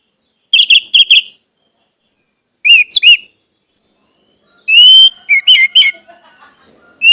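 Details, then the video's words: Three bursts of Orange-headed thrush song, played to set silent birds singing. Short ringing whistles come in tight clusters, then a longer run of rising and falling slurred notes, a faint thin hiss underneath. "pancingan anis merah agar anis merah macet cepat bunyi dan gacor"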